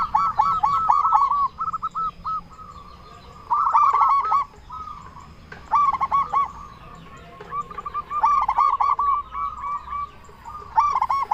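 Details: Loud-voiced local zebra dove used as a lure to make others answer: repeated fast phrases of bubbling, hooked coos, about four bursts in eleven seconds, over steady fainter cooing of other doves.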